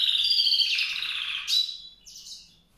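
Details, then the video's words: White-rumped seedeater song: a loud, fast, continuous warbling trill at high pitch for about a second and a half, then a sharp rising note and softer, fading twittered phrases. "song canário-de-sobrebranco, Weißbürzelgirlitz, Edelzanger, kanárik sivý, zvonohlík šedý, greysinger"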